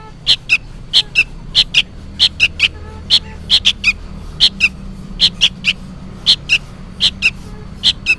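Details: Juvenile sooty-headed bulbul calling noisily, seemingly for its parent: sharp, high paired chirps, each a quick two-note burst, repeated steadily about every half second over a faint low hum.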